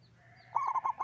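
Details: Brief, low, warbling coo from a loud local zebra dove, several notes rolled together and rising slightly in strength, with faint high bird chirps before it.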